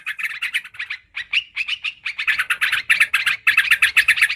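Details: Yellow-vented bulbul, known locally as trucukan karuang, in a recording used as a lure sound: rapid, harsh chattering notes repeated about four times a second, growing louder and denser after a brief pause midway.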